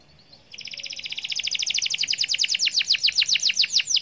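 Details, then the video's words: Canary singing vigorously to set other canaries singing: after a faint opening, a long, steady trill of sharp, high, clipped notes, about five a second, swelling slightly louder toward the end. "Suara Burung Kenari gacor dijamin ampuh bikin kenari lain ikut gacor"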